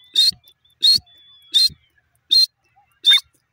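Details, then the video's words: Francolin pair giving shrill, rasping call notes, five strong bursts spaced about every 0.7 seconds, each with a thin high tonal streak. The background is quiet between them. "jungle teetar bird awaz teeter voice new jore"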